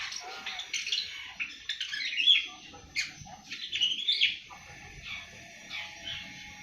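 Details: Awar-awar aged seven months trying out its early song: dense bursts of high scratchy twitter and chirps with brief pure whistled notes, coming in uneven phrases with short gaps.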